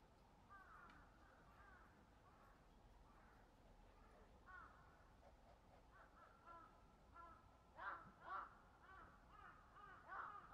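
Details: Black-crowned night herons in a colony at Sanpōji Pond, recorded 28 January 2024: scattered rough, nasal croaks from several birds, mostly soft and distant, with a few louder harsh squawks near the end over steady low background noise.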